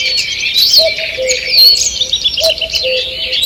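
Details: Forest dawn chorus recorded on 2 June 2023: many birds twitter and trill high over one another, while a deeper two-part note sounds near the start and again after about two seconds.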